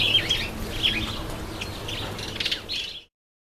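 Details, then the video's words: Bathing Red-headed finch (Red Headed Amadina) giving quick high chirps and short twittered notes in loose clusters, several per second, then the sound cuts off abruptly. "Redheaded Finch taking a bath"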